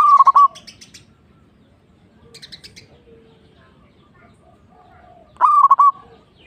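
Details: Local zebra dove singing two short bursts of quick, rolling coo notes several seconds apart, with faint higher chirps from other birds in between.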